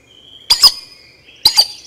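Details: Collared aracari in Costa Rica: two loud, sharp double squeaks about a second apart, each made of two quick piercing notes, over a faint steady high whine.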